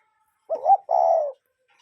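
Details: A single cuckoo call recorded in nature, a brief hooted first note sliding into a longer, level, mellow second note, with silence around it.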